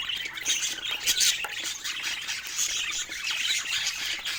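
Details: Busy high-pitched chatter of pet budgerigars discovering new toys, squeaky chirps, thin whistles and raspy squawks blending into one continuous twitter.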